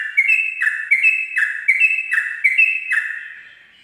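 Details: Sooty-headed bulbul singing a 'ropel' style song at dawn, used for tutoring young birds: a string of paired notes, each a clear high whistle dropping to a lower, fuller note, repeated about once per second, then fading away.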